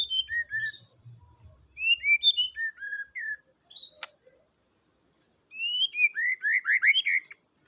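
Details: Song of a white-rumped shama played to excite a shama that sings too little: sweet whistled notes in short phrases, ending in a rapid run of rich, descending slurred whistles.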